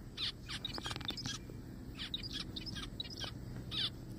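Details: Zebra finches in a forest trade short, nasal, harmonic-rich calls in loose bursts with brief pauses, a few high bright pips mixed in over low steady background noise.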